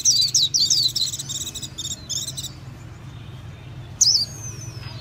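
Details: White-eye delivering a rapid string of high, sweet chirps that fades out, a silent gap, then one last bright note, with low hum underneath.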